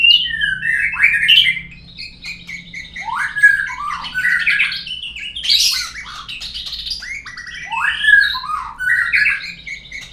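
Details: Shama song meant to set birds singing: continuous rich, varied warbling with downward-swooping whistles, buzzy trills and sharp high notes, loud throughout with short pauses.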